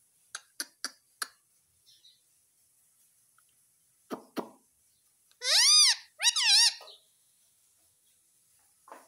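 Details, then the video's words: Indian ringneck parakeet repeating "mummy" nonstop: a few sharp taps or clicks, a pause, then two loud, wobbling voiced syllables in quick succession, with faint rustles at the end. "Nonstop Mummy Mummy Bolane Wala Parrot || Cute Indian Ringneck Parrot"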